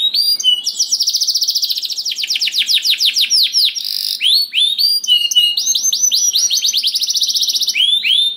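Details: Canary singing a long rolling song meant to coax other canaries into song: rapid trilled runs and buzzy rattles alternating with sweeping upslurred whistles, delivered continuously at a brisk, uneven pace.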